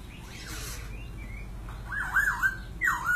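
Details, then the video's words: Poksay, the white-crested laughingthrush, giving faint notes and then loud, wavering whistled phrases that rise and fall rapidly, with a constant low hum behind. "Burung Poksay MANTAP BANGET (Garrulax Leucolophus 32)"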